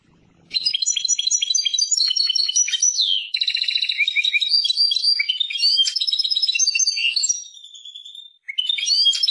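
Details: European goldfinch, called Persian goldfinch, singing a fast, dense twittering song of tinkling notes and buzzy trills that runs almost without pause for about eight seconds, briefly softer near the end.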